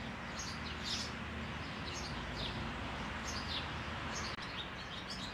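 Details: Eurasian tree sparrow, a noisy bird that has found a roomy hole for its nest, recorded 12 May: short high chirps about once every second, over steady low rumbling background noise.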